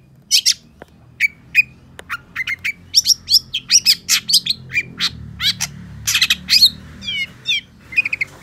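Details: Cendet or long-tailed shrike singing a varied string of sharp chips and clear whistled notes, each a short burst, ending in a trilled, wavering phrase against a faint low hum.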